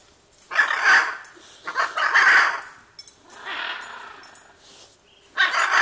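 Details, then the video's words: Hyacinth Macaw pair calling at Caiman Ecological Refuge, Pantanal, Brazil, July 2019; three loud, harsh, croaking squawks separated by pauses, with a softer raspy call between them. "Hyacinth Macaw pair"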